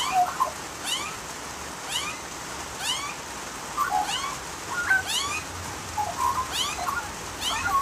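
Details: Australian magpie warbling in short, mellow fluting phrases, with a repeated steep rising sweep note about once a second over a steady hiss of background noise.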